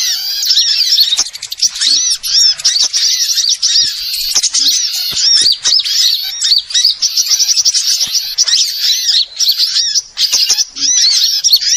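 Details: Lure recording used to attract small birds for trapping: a dense, noisy chorus of many small birds with overlapping high, sharp chirps and twittering trills running continuously, with occasional short dips.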